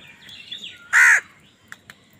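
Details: Angry crow fighting wild birds for food: one loud, harsh, broadband caw in the middle, with faint whistled notes and short chirps from other birds around it.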